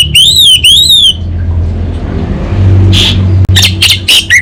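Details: Orange-headed thrush of the anis bata type, singing energetically in a kabel konslet style: two loud, wavering whistled phrases with harmonics, then a low steady hum and short sharp notes near the end.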